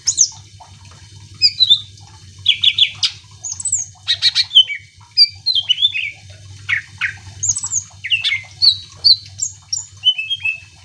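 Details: Greater green leafbird in full song, used to spur other birds to sing along; fast mix of whistles, squawky bursts and falling chirps, with a low background hum throughout.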